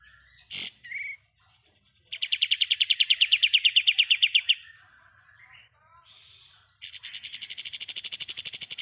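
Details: Kapas tembak in ngebren style, recorded as a tutor for songbirds: a sharp note and brief chirps, then sustained, rapid, buzzy rattling trills of evenly repeated notes, separated by a few soft twitters.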